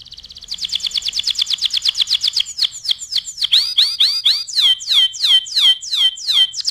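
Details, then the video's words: Canary song used as a master for other birds: a fast, even, high trill for about two seconds, then a run of loud, downward-curving whistled notes, repeated a little over twice per second. "SUARA KENARI GACOR AMPUH UNTUK MASTERAN"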